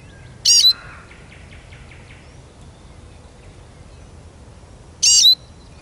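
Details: Two sharp, buzzy Eurasian siskin notes about four and a half seconds apart, each ending in a thin falling whistle, with a faint run of soft ticking notes between them.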